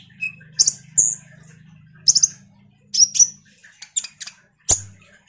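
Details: Common iora song used to train other songbirds: scattered high, thin whistles and sharp chirps in short bursts, over a steady low hum.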